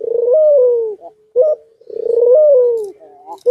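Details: Courting white dove, nodding and in heat, gives a long throaty coo that rises slightly and then slides down, followed by a short higher note, and then repeats the same phrase.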